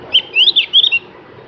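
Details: Javan grey-throated white-eye, known locally as cak gentong, delivering a quick run of bright, slurred whistled notes lasting under a second, against faint low rumble.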